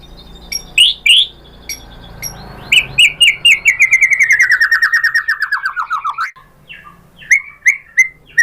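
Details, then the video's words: White-rumped shama, singing so other shamas will answer: a few sharp chirps, then a long fast trill of about twenty notes slowly falling in pitch, followed by short upslurred calls. "SUARA MURAI BATU bikin BUNYI jadi NYAUT GACOR BONGKAR MATERI ISIAN ¦ SHAMA BIRD"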